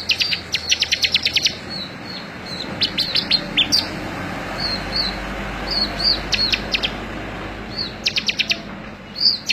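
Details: Bar-winged prinia song for a May 2017 tutor recording: rapid high chip bursts at the start and end, scattered short whistled notes between, over a noticeable steady background hiss.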